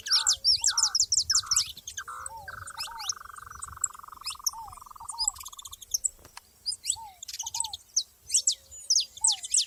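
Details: ['Saffron finches together outdoors give loud bursts of high chirping notes; a long buzzy trill runs through the middle and lower curved whistles recur throughout.']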